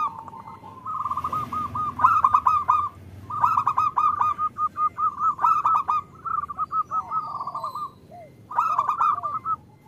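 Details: Several caged Indonesian zebra doves, the female calling the male: loud rolling beaded trills repeated in long phrases with clicking accents, a pause, then one more trilled burst.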